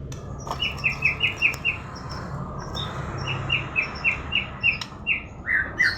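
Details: Murai song: a steady series of short, clear, evenly spaced whistled notes repeated about five per second in runs, pausing briefly between bursts, ending in a richer warbled phrase, over a low background hum.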